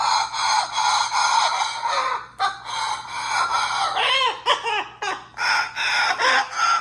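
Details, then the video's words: A macaw copies a human laugh in loud, raspy bursts, with rising and falling squawky syllables in uneven runs; the finding is macaw. "laugh copy"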